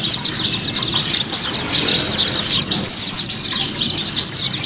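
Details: Therapy song of a white-eye meant to coax a caged bird into singing: bright, rapid chattering phrases of sliding high notes, each lasting under a second and repeated back to back.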